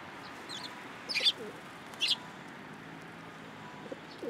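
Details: At a Tenmangu shrine on 13 April 2023, sparrows hop onto an outstretched hand for food, giving two sharp high chirps about a second apart amid faint low rumble and distant soft calls.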